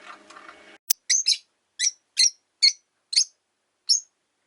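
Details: Pet rosy-faced lovebirds, five kept in a cage by a window, give a series of short, sharp high chirps, roughly eight in four seconds, after a brief stretch of low background street noise and a click.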